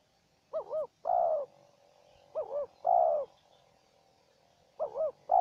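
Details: Wild spotted dove calling against a decoy bird: repeated phrases of a quick double-looped coo then a drawn-out falling coo, three phrases at intervals of about two seconds, clean background.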